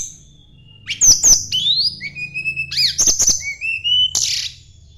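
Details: Sunda blue robin singing to call out a rival: sharp clicks opening into long even whistles, some rising, ending in a hissy burst.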